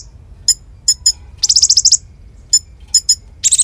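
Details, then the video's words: Konin singing energetically as a tutor for magpie robins and fighting doves; isolated sharp high chips in pairs, a fast pulsed buzzy trill, then another harsh burst at the end. "Masteran Konin Gqcor Nembak Full isian Buat Isian Buring kicau"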